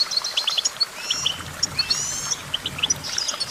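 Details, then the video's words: Goldfinch twittering song: scattered high chirps, a long rising slurred whistle, then short repeated tinkling notes, against a faint noisy background. "Vocal virtuoso: activating enhancing your goldfinch songbird prowess"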